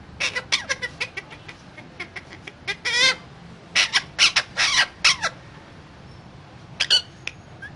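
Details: Talking parrot running through rapid clicks and short squawks, a longer warbling phrase, then a cluster of louder harsh syllables and a final brief pair of calls, indoors.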